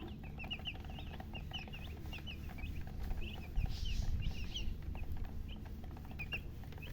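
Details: Newly hatched chicken chicks chirping loudly: many thin high peeps, short and rising or falling, overlapping in a busy chorus over a steady low rumble.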